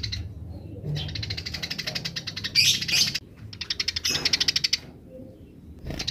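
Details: Wild Eurasian tree sparrows in grece style, wild birds answering: fast pulsing chatter in long runs, broken by a louder burst of harsh chirps, then another rapid run.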